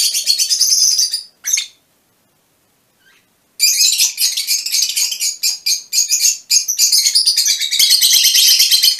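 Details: Harsh, high chattering from Fischer's lovebirds of a mutation colour form, a short burst and a squeak, a pause, then about five seconds of nonstop rapid screechy twittering.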